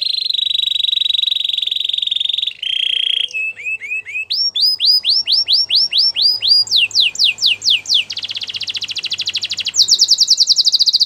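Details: Canary singing for training other canaries: a steady trill near 4k, then series of rapid rising slurred notes, fast buzzy rolls and bright repeated chips, changing tour every second or two, loud and clean.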